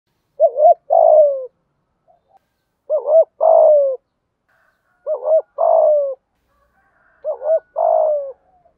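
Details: Decoy spotted dove calling wild doves in the morning: four clear phrases, each two short hooked notes followed by a longer, slightly falling coo, repeated about every two seconds, in otherwise quiet surroundings.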